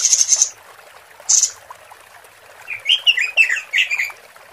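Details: A female robin calling to males, recorded as a lure: a stuttering high buzzy rattle, a second brief buzz, then a quick warbling series of slurred, sweeping chirps.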